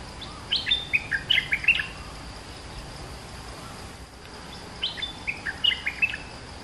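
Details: Bulbul song from a bird caged for two months: two short phrases of bright, whistled and chirped notes, each around a second long, separated by a pause, over constant hiss.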